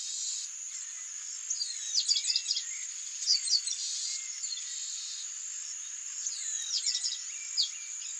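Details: Male Chestnut-capped Blackbird at Garibaldi giving short clusters of high, sharp chipping and slurred notes in bursts around two, three and seven seconds, over a steady shrill insect drone.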